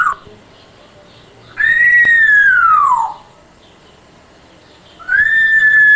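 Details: Pet grey parrot hatched 10 January 2000, imitating sounds: a long, loud, pure whistle that holds steady and then slides downward over about a second and a half, a pause, then another steady whistle.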